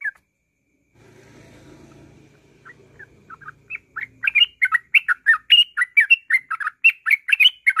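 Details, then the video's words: Yellow-vented bulbul singing in rapid ngropel style, used as a lure to provoke other birds into song: low hum at first, then quickening bursts of bright, chattering, slurred notes tumbling one after another without pause. "TRUCUKAN NGROPEL Untuk pancingan bunyi"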